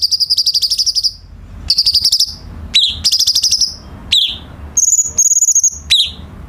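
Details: Cucak cungkok bulbul singing, a recording used as a tutor for training captive songbirds: several high, steady, rapidly pulsed trills lasting about a second each, broken by short sharp upward-slurred notes, with a final higher thin trill.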